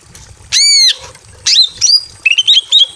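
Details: From a simple aviary, a breeding-condition female greater green leafbird calls a male with a long ringing arched whistle, a twisting slurred note, then several short rising and falling whistles.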